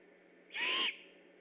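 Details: Great horned owl, one of the vocal owls near an eagle nest at Decorah on the night of 3 October 2015 while on alert; a single loud, raspy, breathy screech of under half a second.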